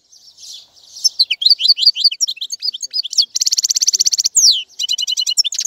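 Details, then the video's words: European goldfinch song building from soft notes into rapid high twittering, a long buzzy trill, a sweeping downslurred note and more bright trilled phrases. "تغريد طائر الحسون | فيديو رائع لتغريد الحسون"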